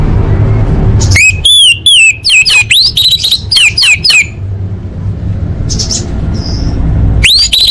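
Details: Orange-headed thrush giving a lively, loud run of slurred whistles: about ten bright phrases in under three seconds, each swooping down then up, followed by a pause, a soft high note, and a final rising whistle.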